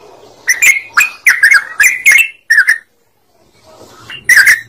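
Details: Yellow-vented bulbul giving bubbly song phrases, used to coax other birds into singing: five or six short, rich warbled notes in quick succession, a silent pause of over a second, then one more bright phrase.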